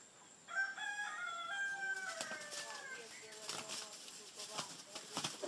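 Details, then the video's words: Chickens fighting in American Samoa: a drawn-out, harmonic crow-like call with gently falling tones over about a second and a half, followed by rough broadband bursts of scuffling and wing-flapping as the fight goes on. "Chicken fight in Am.Samoa"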